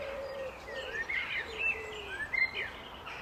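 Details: Common blackbird song made of mellow, warbling whistles that sweep up and down, given in quick bursts. Low cooing from another bird can be heard at the start.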